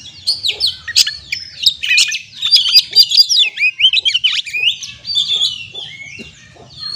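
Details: Oriental magpie-robin song as a lure to make stressed birds sing: fast, rich mix of slurred whistles, sharp clicks and descending chirps pouring out almost without pause.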